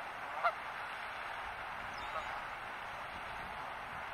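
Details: A single short nasal goose honk from a flock of geese by a pond sounds early on, with a fainter call later, over a steady wash of outdoor noise.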